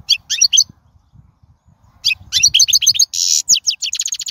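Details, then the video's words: Wild European goldfinch song: bright clusters of tinkling high notes, a pause, then a fast chattering series of twitters broken by a short harsh buzzy burst before more quick repeated notes. "من أقوى اغاني | طائر الحسون | البرية"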